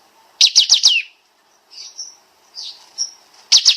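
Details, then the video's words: Kapas tembak bulbul on a master recording for training songbirds, rapid 'nembak' pattern: four quick descending chirps, soft whistled notes in between, then another fast burst. "Masteran Burung Kapas Tembak Suara Rapat Nembak Nembak"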